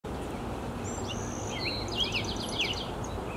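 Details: Black-headed Grosbeak (Pheucticus melanocephalus) singing and calling at Salish Ponds City Park, Fairview, Oregon, May 16, 2022: a brief run of sweet, slurred whistled notes, fairly faint over steady outdoor background hiss.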